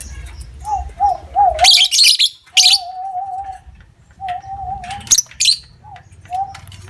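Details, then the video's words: Stretches of wavering mid-pitched whistling are broken by loud bursts of harsh, high lovebird chatter, in a lure recording intended to get other lovebirds trilling long; low background hum throughout. "Pancingan Love Bird Ngekek Ampuh Durasi Panjang"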